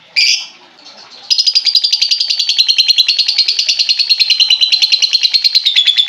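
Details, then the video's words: Lovebird sound used to coax a lovebird that has stopped singing: a sharp squeak, then a long rapid pulsing trill held steady for about five seconds. "pancingan burung lovebird macet bunyi"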